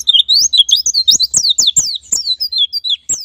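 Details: White-eye song used as lure material to prompt ngalas and nembak singing: a continuous fast, high-pitched chattering warble of quick rising and falling slurred notes, with faint dry ticks underneath.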